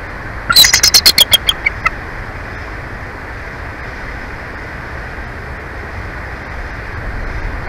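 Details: A bald eagle pair nests in Big Bear Valley, recorded live on 26 March 2024; one burst of about ten thin, high piping chatter notes, slowing toward the end, then steady background hiss.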